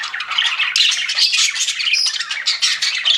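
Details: Pet budgerigars, several together, chirping: a dense, continuous stream of scratchy, buzzy chirps and squawks with short bright whistled notes mixed in. There are no pauses and no other sounds.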